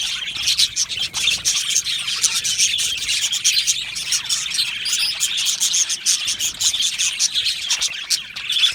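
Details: Aviary of Australian budgerigars in full chorus, rapid scratchy chirps and warbled chatter packed tightly with frequent short clicky notes and small swells in volume.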